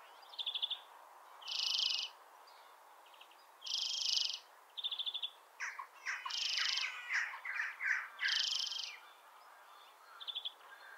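European greenfinch song: short rapid trills alternate with long, harsh, wheezy buzzes about every two seconds, with a burst of varied twittering in the middle.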